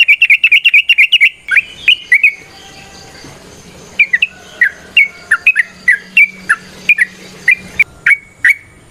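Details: Trucukan (yellow-vented bulbul) singing in the ropel, nrotok and ngecuplik styles: a quick string of bubbly chirps, a pause, then irregular clear whistled notes, some falling, others rising, over a faint low hum.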